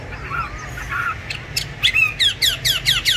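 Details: Kept songbird, fed steadily and said to sing anywhere and at any hour, bought 19 May 2020: soft low whistles, then a run of six sharp, loud descending notes about every third of a second, over faint low background hum.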